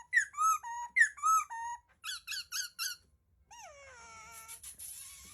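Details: Laughingthrush giving paired, arched whistled notes, a quick set of short sharp chirps, then a long descending whistle followed by a soft hissing rustle.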